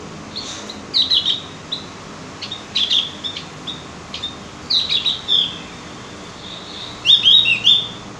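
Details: Javan grey-throated white-eye, known locally as cucak gentong, on a recording meant to get birds singing: short groups of sharp high chirps and twitters come every second or so over steady background hiss.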